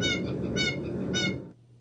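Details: Blue Jay giving three nasal, harmonic notes about half a second apart, all at the same pitch, unlike a possible Ivory-billed Woodpecker's call whose final note drops lower; over a low steady rumble.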